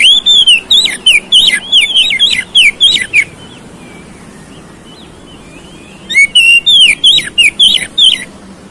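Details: Oriental magpie-robin lure song meant to trigger a fierce fighting response: two bursts of rapid, sharp chirping whistles with downward flicks, separated by a few seconds of soft, thin twittering.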